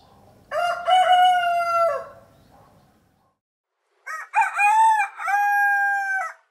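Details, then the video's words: A farm rooster crows twice, each a loud, harsh, drawn-out cock-a-doodle-doo of about two seconds, a couple of seconds apart. "Listen to the rooster"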